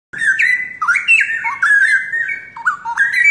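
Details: Young pair of straw-headed bulbuls, originally from the forest and long kept in captivity, singing actively: loud, rich whistled phrases that step up and down and slide between notes in a continuous bubbling stream.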